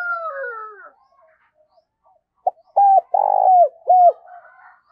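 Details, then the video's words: Spotted dove used as a decoy, cooing to excite and train birds: a falling, slurred sound at first, then a short note, a clear coo, a long throbbing buzzy coo and a closing coo. "Tiếng Chim Cu Mồi THÚC Và GÁY GỌI Sung"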